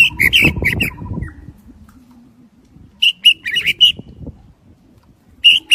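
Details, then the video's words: White-rumped shama of the shrimp-tail (đuôi tôm) type from Daklak, singing in the windy season: loud clear whistled notes in quick bursts, a pause with quiet rustling, then a burst of varied ringing notes and a final phrase; low thumping noise at the start. "Chích chòe lửa đuôi tôm daklak shama bird sing"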